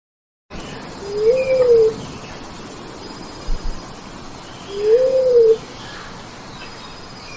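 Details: A bleeding-heart dove in forest, possibly played through a Bluetooth speaker for hunting, gives two soft, low, rising-then-falling coos about three and a half seconds apart, over a steady hiss of forest insects.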